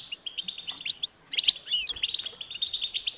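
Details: Begging European goldfinch chicks calling for parents to feed them; a run of quick, even chirps, a short gap, then a louder tumbling burst of twitters and slurred notes followed by steady rapid chirping.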